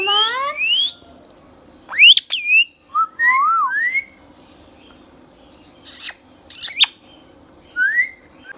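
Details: Green Indian ringneck talking parrot kept as a pet, indoors, delivering rapid rising whistles, sliding speech-like notes and two harsh shrieks, with short pauses between bursts.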